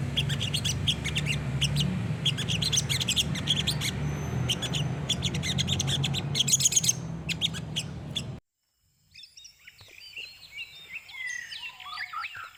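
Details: Olive-backed sunbird singing in the 'gacor nembak' style for a master recording: dense runs of thin, high ticking chirps over a low hum for about eight seconds, then a break and softer, twittering phrases in a quieter setting.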